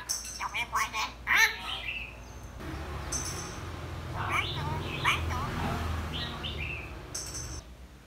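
A hill myna gives quick bursts of squeaky whistles and harsh, voice-like notes, imitating a phone ringtone and a car horn, over a low background hum.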